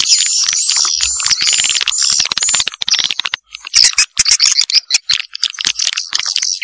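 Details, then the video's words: Vietnamese janda-style swiftlet lure: loud, dense, buzzy twittering and high whistles, broken by brief gaps, then resuming as scattered sharp chirps and clicks. "SUARA WALET JANDA VIETNAM"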